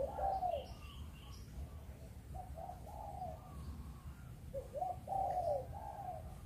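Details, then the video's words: Spotted dove in the Vietnamese 'chụp chụp ô' cooing style, from breeding Malaysian doves: soft, low, hooting coos in short phrases over a rumbling background, with faint higher notes above. "Chim Cu Gáy | Chụp Chụp Ô"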